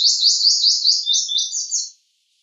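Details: High, thin song of a purple sunbird: roughly nine quick, sliding notes in a tight, even run lasting two seconds, then silence.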